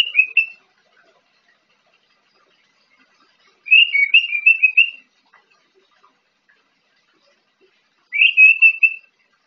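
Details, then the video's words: Orange-headed thrush in the morning, described as learning its song, gives three short bursts of high, rapid warbled notes, each about a second long, with quiet gaps between and no other sounds. "Anis Merah pastol belajar bunyi di pagi hari"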